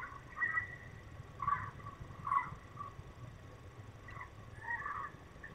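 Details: Male peregrine falcon at the nest in the Barycz Valley, searching for his mate, 16 September 2021: short harsh calls around the upper-middle range, given in irregular bursts about every second, over a steady low hum.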